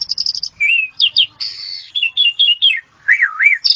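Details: Asian pied starling singing: a quick stuttered series opens, followed by a fluted slur, high squeaky notes, a harsh buzzy stretch, scattered chirps and two looping, wavering whistles before a final sharp burst.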